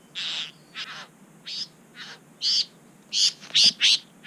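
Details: Bower-owning Satin Bowerbird in NSW, Australia, filmed by a GoPro it later charged and pecked. Short grating, buzzy squawks about ninety a minute, uneven in spacing, growing louder and denser toward the end.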